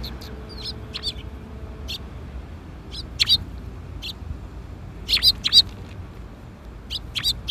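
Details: Sparrows arriving for food at a Tenmangu shrine in April 2021, afternoon; scattered short high chirps at irregular intervals, some doubled, louder clusters around the middle, over a soft low outdoor rumble.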